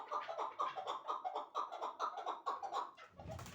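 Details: Chukar partridges, a two-year-old caged bird and a one-year-old hybrid, giving rhythmic clucking chuck notes about every quarter second in a steady run, followed by a rustling noise at the end.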